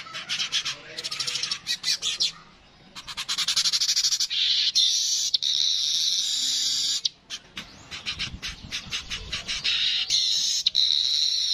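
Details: Streaked weaver in its natural voice, with long dense buzzy wheezing runs and rapid ticking bursts, broken by short pauses, loud and high throughout.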